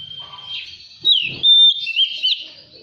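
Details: Oriental magpie-robin song used as a lure to get an untrained caged bird to sing and fan its tail: clear high whistled notes, a long steady whistle, then bright slurred and warbled phrases with short gaps.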